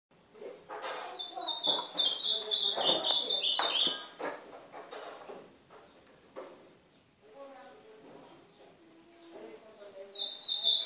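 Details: Ultramarine grosbeak of the northeastern form, song used to warm up and train a pet bird: rapid warbled phrases of rising and falling notes, a phrase lasting about three seconds, then a quieter gap with soft low tones before singing resumes.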